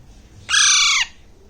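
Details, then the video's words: Young Alexandrine parakeet, about one and a half months old, hand-fed chick in Bangladesh eating grapes: one loud harsh squawk lasting about half a second, rich in overtones and falling slightly at the end, over quiet background. "Alexander parrot sound|| alexander parrot eating fruits"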